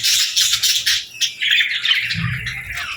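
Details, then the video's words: Feeding-time chirping from baby budgies and lovebirds: a loud buzzy chatter opens, then thins into shorter squeaky calls, with soft low rustling near the end. "Love Birds & Budgies Feeding Time Sounds"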